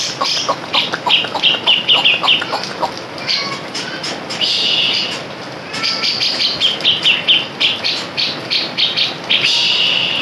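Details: A Grey-cheeked Bulbul, recorded as a lure to rouse other birds, sings lively, rapid chattering phrases of sharp, bright notes in quick bursts, with a steady hiss of background noise.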